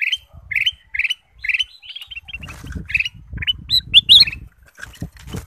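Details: Kutilang emas bulbul used as a singing lure for other birds: rapid series of chirped phrases rising into sharper whistled notes, with fluttering and low background rumble in the second half.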